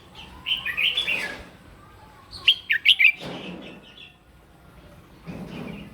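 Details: Red-whiskered bulbul, morning fighting song for voice training: a rolling warbled phrase, then four punchy whistled notes in quick succession, with soft rustling noise between phrases.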